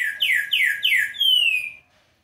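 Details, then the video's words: A captive green-winged saltator, recorded on a Thursday afternoon at 15:30 on 25 August, sings three loud, rich, downslurred whistles in quick succession, then ends on one long, clear whistle that falls slightly. "TRINCA-FERRO OU TEMPERA-VIOLA CANTANDO LINDO!"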